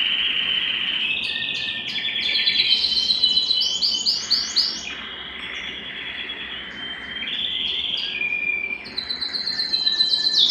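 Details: Canary at home in an excited mating mood: varied song that moves between lower whistled notes and higher rapid trills, with quick stuttering rolls and sustained pure tones.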